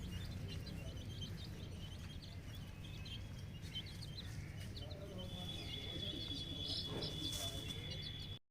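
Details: Ten-day-old naked neck chicks on a poultry farm keep up a stream of high, thin peeps. A steady whistling tone enters midway over a persistent low hum, and faint voices are heard.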